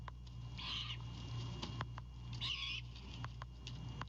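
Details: Great Horned Owl owlet defending prey delivered by its father at a Savannah nest at night, March 2022; two rasping, breathy screeches about two seconds apart, with scattered clicks and a constant low hum.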